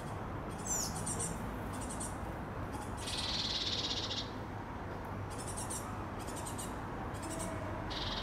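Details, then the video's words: Two juvenile great tits, with one adult present, in the Boucicaut quarter of Paris's 15th arrondissement, beg while waiting to be fed: bursts of high, hissing, buzzy calls, some about a second long, over a steady low hum. "Jeunes Mésanges charbonnières attendant la becquée"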